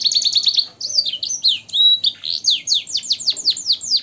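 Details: Caged canary in full song on a training recording, its phrases styled after blackthroat and sanger songs: a fast opening trill, then sliding whistles and a long series of quick, bright, descending notes.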